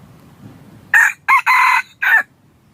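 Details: Crowing red junglefowl, a recording hunters use to lure birds: four rasping segments, a brief opener, a clipped second note, a long sustained third, then a short tail, with faint low rumble beneath.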